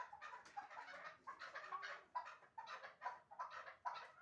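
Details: Hunting chukar partridge from Shahritus calling in a softer series of throaty chuck notes, each short and clipped, spaced about half a second apart, with faint background hiss.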